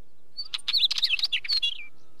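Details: Wheatear calling: a dense, scratchy run of harsh clicking notes mixed with short warbled whistles, ending in a thin falling note.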